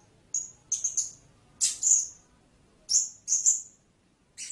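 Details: Blue-crowned hanging parrot giving thin, very high-pitched sibilant calls in short bursts, some single and some doubled, separated by brief pauses.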